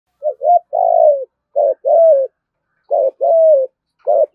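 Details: Spotted dove cooing in the 'thúc gù' style with a deep 'thổ' voice. Low, mellow phrases repeat about every 1.3 seconds, each a short doubled note followed by a long, slightly falling coo, with quiet gaps between.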